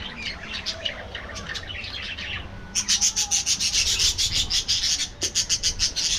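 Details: Budgerigars feeding in an aviary in the afternoon; busy high chirping chatter, then a run of rapid, evenly pulsed scratchy notes about three per second with a brief pause, over low background rumble.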